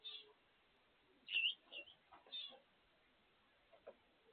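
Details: Pet Gouldian finches, kept at home, calling while eating: a few short, bright, high chirps and slurred notes in small bursts, with quiet gaps and faint background rustling.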